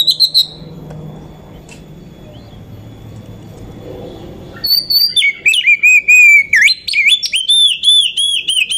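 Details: Oriental magpie-robin lure recording of a female bird to excite males: a brief whistle, a quiet pause with low background hum, then a loud run of rapid, wavering whistled phrases.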